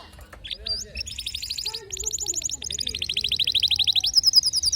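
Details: Canary singing over a low background murmur: quick bright trills changing through several tours of rapidly repeated notes, rising steadily in loudness toward the finish.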